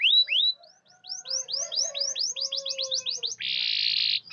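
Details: Canary song meant to prompt silent or reluctant canaries into singing: rapid series of bright rising-falling whistled notes, quickening, then a dense buzzy rolling trill at the end.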